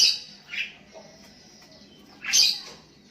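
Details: Sooty-headed bulbul calling to a rival while other bulbuls answer: two loud, short, harsh chirping notes a moment apart, with a fainter note between them against a quiet background.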